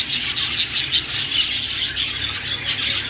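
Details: Budgerigars chattering in a dense, continuous high warble of scratchy, raspy chirps, pulsing in quick bursts several times a second with no pause throughout.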